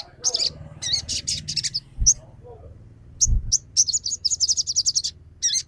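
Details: High, rapid twittering bursts from a spotted crimson sunbird, played as a lure to make another bird sing and become agitated. Fast chattering series broken by brief pauses, with low knocks in the background.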